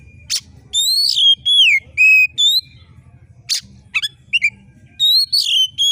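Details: Oriental magpie-robin (kacer) singing with sharp screeches meant to rouse competition birds: rapid whistled slurs, descending and rising notes, and harsh raspy bursts in a dense, varied run.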